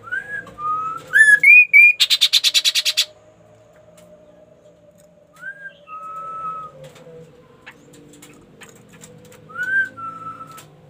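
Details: Ashy tailorbird in full song: a short rising whistle, a steady level whistle, then a quick run of upward-climbing notes and a fast stuttering trill of about ten pulses. Two more whistle pairs follow after a pause, over faint low hum.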